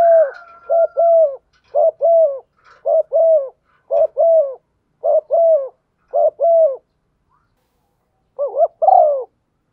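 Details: Spotted dove hen prompting a male, giving evenly spaced pairs of short low coos for about seven seconds, then a pause before a final rougher pair.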